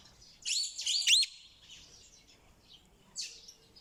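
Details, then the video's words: Parrot calls: a burst of three loud, shrill, rising-and-falling screeches around half a second to one and a quarter seconds, then quieter chatter and a final harsh squawk near three seconds. "เสียงนกแก้ว.Suab yeeb kub(leeb nkaub)"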